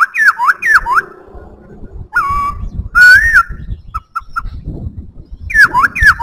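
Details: White-browed laughingthrush in full song, mixing looping slurred whistles, long steady whistled notes and a few short clipped notes, over a constant low rumble of background noise.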